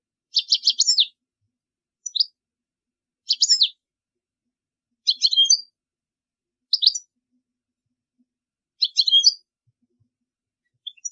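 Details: A European goldfinch sings in short, high, tinkling bursts of rapid twittering notes, each under a second, with brief pauses between, a song offered for teaching young birds; nothing else is heard.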